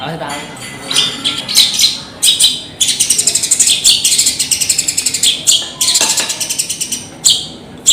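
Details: Javanese long-tailed shrike (cendet) giving a busy, harsh song: scratchy high chatter, bursts of fast rattling notes and occasional sharp squeaks, against steady background hiss.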